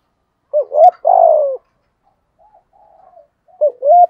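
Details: Prompted spotted dove calling in the Vietnamese 'giọng thổ' style. A full low coo phrase, a brief quiet murmur, then the start of another stuttering double note.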